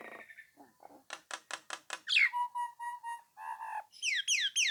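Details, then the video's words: Song of a Nias hill myna meant to draw rival birds into calling back: low soft notes, a burst of hard rasping clicks, a run of clear flat whistles near one pitch, then high falling whistles. "suara jalak nias gacor mancing lawan agar nyaut dan ikut ngoceh | pancingan jalak"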